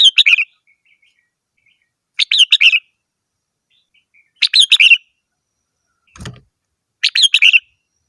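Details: Red-whiskered bulbul repeating a brisk phrase of several sharp, whistled chirps roughly every two seconds, four phrases in all, in otherwise quiet surroundings broken by a single dull thump.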